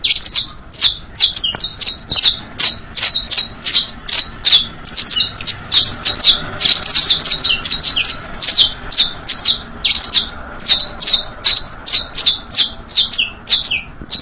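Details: Long, fast saffron finch song meant for teaching youngsters (bastos, pintos, finos styles): a dense run of bright, sharply falling chirps, two or three per second, sustained for over fourteen seconds with little background.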